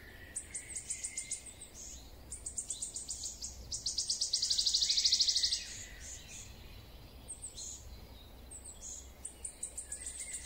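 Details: A wood warbler's song: high, stuttering ticks speed up into a bright, shivering trill lasting over a second. Thin high chirps from other birds or insects continue around it.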